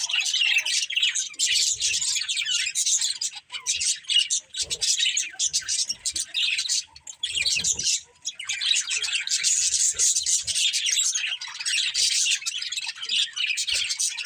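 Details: A budgie family chirps busily: long bursts of rapid, high, raspy twittering from several birds, with two short lulls before the chatter surges back.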